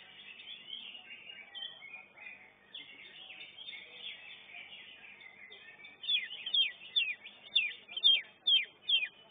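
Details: Competing greater green leafbird at a singing competition, first class. Overlapping chatter from many birds, then a clear run of loud, downslurred whistles about twice per second near the end.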